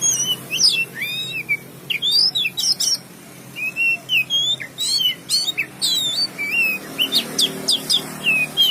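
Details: Varied whistled song from an oriental magpie-robin: looping slurs, sharp high chips and downward sweeps in lively bursts, with one short pause midway and faint hum behind.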